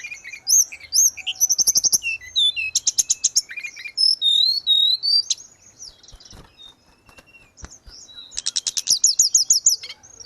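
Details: Grey-cheeked bulbul singing gacor, training audio for caged birds that stopped singing. Varied high whistles and trills with rattling buzzy passages, a quieter spell in the middle, then a fast ringing run of repeated notes.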